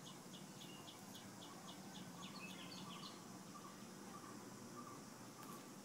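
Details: Bulbul chicks nearly ready to fledge from a nest on a flat's balcony give thin, high chirps in quick series, about four a second, fading after a few seconds over a steady low hum.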